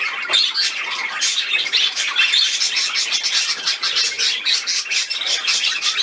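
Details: Pet budgerigars at play on 13 December 2019: a run of quick, high tweets and scratchy chirps, rapid and overlapping throughout.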